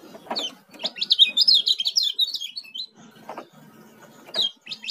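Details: Oriental white-eye (kecial kuning), a young bird from Lombok, sings a rapid high twittering burst of quick rising and falling notes lasting about two seconds, with a shorter burst near the end; soft low knocks and rustles underneath.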